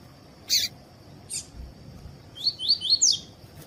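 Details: Double-collared seedeater in tui-tui song, meant to warm up other seedeaters: two short clicking bursts, then a rapid series of five high, buzzy, slurred notes, with a steady shrill background tone throughout.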